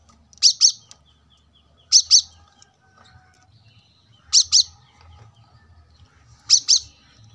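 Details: Brown-throated sunbird, a cage-bird training recording: loud, sharp double notes repeated four times at intervals of about two seconds, with faint thin whistles and low background hum between them.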